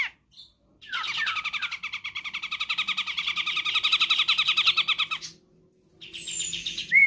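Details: Grey-cheeked bulbul, Sumatra: a few slurred notes open into a long, even, rapid trill lasting about four seconds that swells in loudness, then pauses before softer chattering and a thin high whistle.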